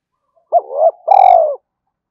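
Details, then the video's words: Spotted dove decoy calling wild doves to fight: a two-part coo, a wavering rising note followed by a longer, buzzy, slowly falling coo. "tiếng cu gáy thúc Đấu và gáy gọi bổi rừng nghe rất nhanh về cội"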